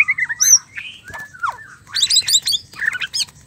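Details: Mating White-rumped shama, used to get males singing: varied whistled phrases with a steep downslurred note, followed by rapid high chattering trills and clicks.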